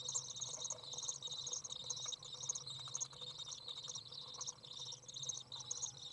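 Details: Recorded 27 June 2011 on a 30-degree day: fledged young Common Swifts out of the nest, a parent arriving to feed them. Dense high-pitched buzzing chatter runs throughout in pulsing bursts, over a faint low hum.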